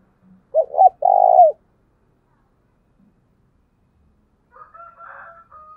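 A spotted dove gives a short burst of low, hollow coos, then a fainter, softer coo phrase a few seconds later. No other clear sounds.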